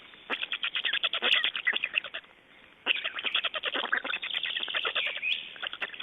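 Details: Black storks during nest changeover and feeding in Estonia, 29 May 2012; a quieter stretch of rasping pulses gives way after a short lull to a loud, rapid, rattling series of harsh notes.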